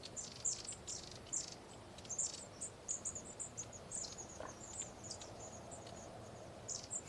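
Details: Long-tailed tits, a flock feeding overhead, call with many thin, very high see-see notes and short trills overlapping about once a second, over faint background hiss.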